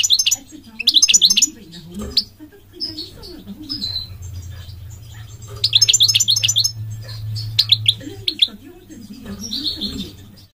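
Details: Migratory goldfinch singing: bursts of rapid, high, tinkling twitters near the start, middle and end, linked by thinner single notes and short buzzy phrases; a low wavering murmur and a steady low hum run underneath.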